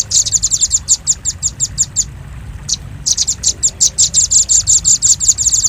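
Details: Velvet-fronted nuthatch lure recording: rapid, very high dry chips in fast runs, briefly pausing near two seconds, then resuming in a dense, steady stream of sharp ticks.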